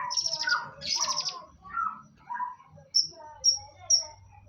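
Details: Long-tailed shrike singing a varied, chattering song of harsh buzzy bursts and warbled mid-pitched phrases, then three short high whistled notes about half a second apart, with a low background hum.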